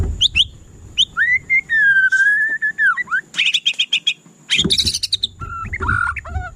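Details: White-rumped shama in full varied song: long, clear, drawn-out whistles, then rapid high trills and chattering bursts, ending in lower fluty notes, with occasional background knocks and rustles.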